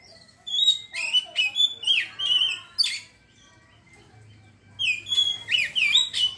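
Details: Kacer singing ngeriwik and opening up freely: a fast sequence of sharp, swooping whistles and chatter, a pause of about two seconds, then another energetic burst of twisting whistled notes.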